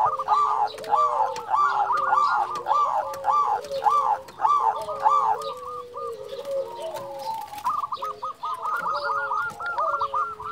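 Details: Local zebra dove, a champion caller meant to rouse quiet or stressed zebra doves: long sequence of rhythmic, bouncing coos in quick succession, ending in a fast rolling trill, other doves faintly cooing behind.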